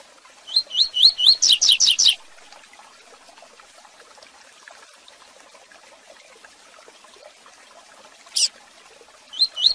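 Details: A rusty-collared seedeater sings the "tui tui zel zel" song used to train young birds: a quick run of bright, high whistled notes building to a dense trill in the first two seconds, then brief high bursts later.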